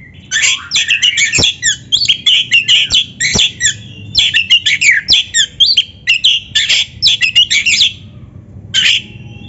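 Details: Oriental magpie-robin (kacer) singing vigorously, a gacor master recording meant to train young, practising or lazy kept birds to sing; dense run of loud whistled and harsh rapid notes in quick bursts, nearly continuous for nine seconds.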